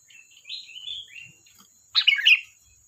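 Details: Lively sooty-headed bulbul song: a soft slurred warbling phrase rising and falling, then a loud, bright bubbly burst of quick notes.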